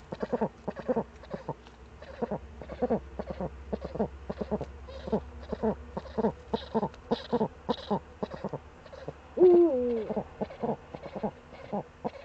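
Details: Eurasian eagle-owl on a nest-niche webcam, 28 February 2013, cackling and scratching: a long, steady chatter of short gruff notes for about twelve seconds, broken once by a drawn-out descending note, with low hum beneath.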